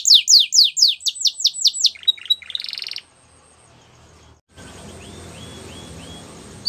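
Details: Belgian canary singing loud downslurred whistled notes for about two seconds, then a brief buzzy trill, followed by near quiet with a few faint distant slurred notes over low background hiss.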